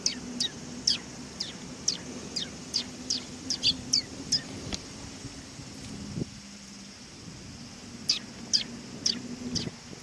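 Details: Sparrows coming to be fed at a Tenmangu shrine on 18 August 2020; a brisk series of sharp high chirps for about five seconds, a pause, then more chirps, over a low steady hum.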